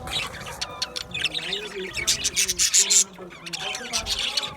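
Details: Budgerigars in an aviary chattering together: dense, overlapping bright chirps and scratchy warbles, with bursts of sharp clicks and short whistled notes around the two-to-three-second mark.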